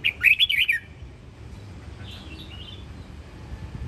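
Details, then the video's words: Home-raised red-whiskered bulbul of the Sông Kon song style from Quảng Nam, Vietnam, kept as a fighting or competition bird, gives a quick, loud warbled phrase of bright chirping notes lasting under a second, followed by faint softer notes. "Chiến binh Chào mào Sông Kon nhà trồng"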